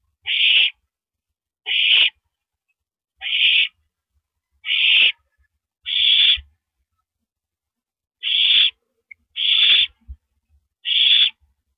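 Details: An owl passes a rabbit to its mate at the nest on the night of April 9, 2012; eight rough, breathy screeches, mostly regular about every second and a half, with a brief pause midway and faint taps.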